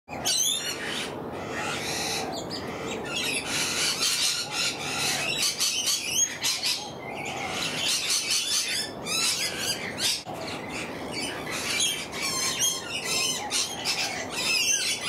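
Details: Lorikeets in the morning, a dense chorus of shrill, screechy, overlapping chatter and squawks running continuously, with no pauses and no other clear sounds.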